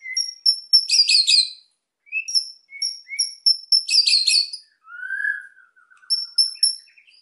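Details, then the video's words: White-rumped shama kept as a cage bird, singing to provoke quieter birds: high, thin ticking notes and two buzzy clustered bursts, with one low slurred whistle midway. "MURAI GACOR EMOSI BIKIN MEMANCING BURUNG YANG PENDIAM"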